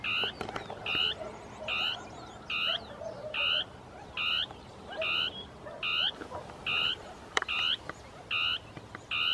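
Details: Dusky tapaculo singing its territorial song among scrub, two birds interacting; a long, steady series of about twelve harsh buzzy churring notes, evenly spaced under a second apart, with occasional clicks in the background.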